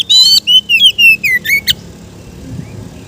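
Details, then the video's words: Relaxed 'ngeplong' song of a kept Oriental magpie-robin (kacer), meant as therapy for young birds: a string of loud, bright whistled phrases, each sliding downward, about seven in under two seconds, then quiet hum. "suara Kacer ngeplong santai cocok untuk terapi kacer bahan"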